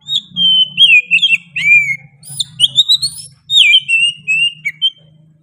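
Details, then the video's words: Oriental magpie-robin giving insistent, sharp song. Descending whistled slurs mix with bright rising notes in two long phrases. A steady low hum runs in the background throughout. "KACER GACOR NGOTOT PEDES SUARA NYA GA DA AMPOON"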